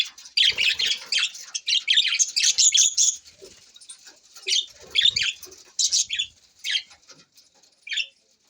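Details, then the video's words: Budgerigars chattering, with dense bursts of scratchy, warbling chirps and squawks repeated in clusters, pausing briefly between runs, plus some soft fluttering. "Budgies Parrot so Bueatiful sounds"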